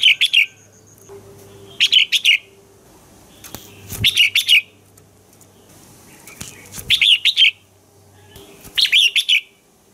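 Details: Red-whiskered bulbul singing in the morning as a training voice for other bulbuls: five short bursts of bright, bubbling whistled notes repeated roughly every two seconds, with a low hum beneath.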